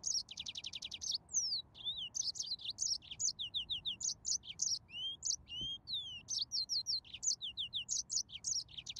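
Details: Yellow-fronted canary singing steadily: opens with a rapid rattling trill, then mixes slurred whistles, clusters of quick descending chirps and bright high notes, continuing without pause, one faint thump midway.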